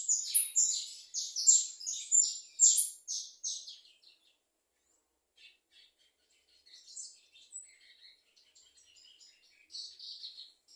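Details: Finch giving a fast series of high, buzzy twittered notes for about four seconds, then falling mostly quiet, followed by scattered soft chips and short high phrases.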